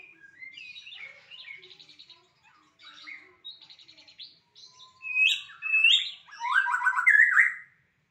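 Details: White-rumped shama song: soft chattering and buzzy trilled phrases building to loud, rich warbled bursts and descending whistles in the final seconds, otherwise quiet.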